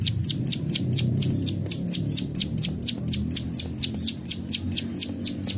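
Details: Steady run of high, sharp 'klik klik' clicks from a plain prinia, gacor full tembakan style, roughly four per second and evenly spaced, over a low humming background.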